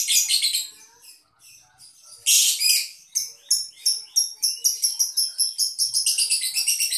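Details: Lovebird from a Boyolali, Indonesia collection: short shrill trills and scattered chirps lead into a loud buzzy burst, followed by clipped high notes that quicken into a rapid pulsing chatter.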